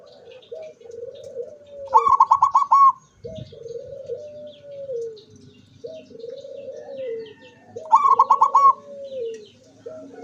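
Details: On 24 September 2023 a zebra dove sings with open beak: two quick volleys of bright pulsed notes, about six seconds apart, alternating with repeated lower, smooth, drawn-out rolling coos.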